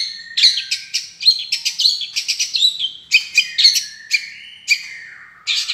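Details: Long-tailed shrike in vigorous song. High, scratchy bursts of chattering notes mix with short whistled slurs, broken by brief gaps.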